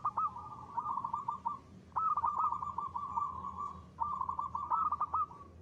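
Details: A local zebra dove in strong ngristal song, used as a lure. Three phrases about two seconds apart, each a sharp opening note followed by a steady rippling trill ending in clipped stutters.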